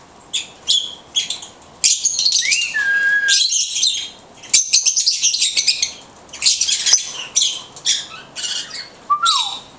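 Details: Talking from a blue-headed conure: long runs of grating, buzzy chatter separated by brief gaps, with a short rising-then-level whistle early on and a quick upward whistle near the end.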